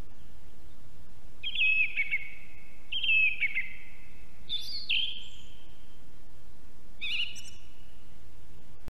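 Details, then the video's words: Song thrush recorded by a live osprey nest camera in Estonia: four distinct whistled phrases at uneven intervals of about one to two seconds, some sharp and high, each trailing into an echo, with constant low background noise. "Певчий дрозд (Turdus philomelos). Song Thrush"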